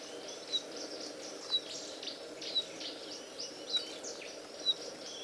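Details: A White-throated robin-chat in Hluhluwe-Imfolozi Park, South Africa, gives short, thin high chips about once a second over a steady hiss of insects.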